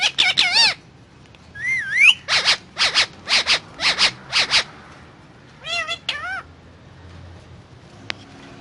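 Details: Indian ringneck parakeet eating guava: opening harsh calls, a rising whistled note, then a run of eight rhythmic buzzy screeches, later two arching harmonic squawks, followed by quiet with faint clicks.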